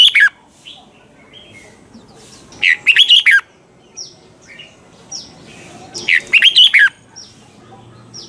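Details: Red-whiskered bulbul lure song for training caged birds, double-note wild style; loud warbled phrases of five or so notes recur about every three and a half seconds, with faint high chirps between.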